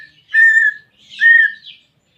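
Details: Greater green leafbird song to coax a caged bird into singing: two clear, sustained whistled notes with faint higher chatter.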